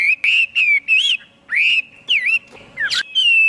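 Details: Chinese hwamei song of long sliding whistles, some held steady, some curving up and down, with a sharp clicking burst near the end; quiet pauses between phrases.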